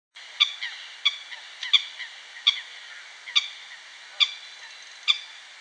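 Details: Female Eurasian coot in Katowice, Poland, began calling when other ducks that were not her family started fighting: short, sharp, nasal calls, about seven in a row roughly every 0.7 seconds, over a faint steady hiss.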